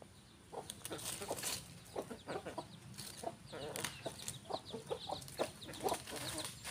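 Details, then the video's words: Rooster and hen on a farm; short low clucks come in uneven bursts, several per second at times, with faint high peeping and scattered clicks and rustling in the background. "rooster & hen farm animal renewal part 60"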